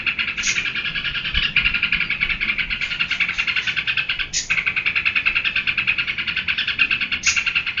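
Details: Sooty-headed bulbul giving its 'geberan' song. A fast, even buzzy chatter is broken by a few sharp high upslurred notes, and the rhythmic pulsing continues throughout.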